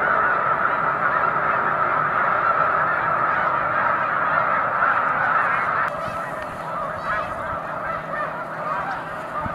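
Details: Massed snow goose honking from a large flock on Cayuga Lake, March 2021 afternoon; a thick chorus of rapid overlapping calls that abruptly softens and thins after about six seconds.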